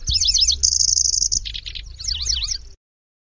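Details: {'text': 'Kecici belalang, the Lanceolated warbler, in grasshopper-like nyecret chatter: wavering looping whistles, then a level high buzzy trill, two low rasping pulses, and more zigzag notes before the song stops.'}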